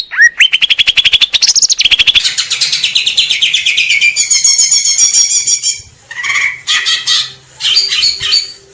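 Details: Greater green leafbird song opening with a fast run of rising whistled notes, then sliding into scratchy, warbled phrases and short varied bursts.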